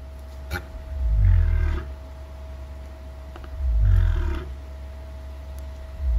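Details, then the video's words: Cassowary gives two deep, rumbling booms, each about a second long and roughly two and a half seconds apart, felt more than heard, over a steady low hum. "Сassowary Bird Sounds - Listen here to cassowary call sound!"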